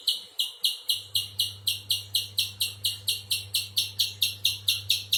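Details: Spiderhunter uttering regular, loud, high chip notes with a buzzy edge, a little over two per second; a low hum starts partway through and continues.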